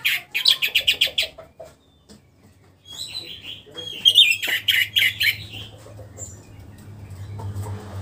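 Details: Orange-headed thrush kept in a cage, recently through its moult and starting to sing openly. It gives a fast string of loud, sharp repeated notes, a short pause, then rich whistled and chattering phrases over a faint low hum.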